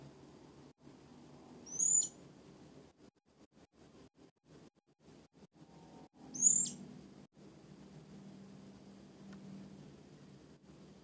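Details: Blue-crowned hanging parrot (Loriculus galgulus), a newly caught bird just learning to vocalise, heard through a gap in boards: two thin, sharp, high squeaks about four seconds apart over a low steady hum.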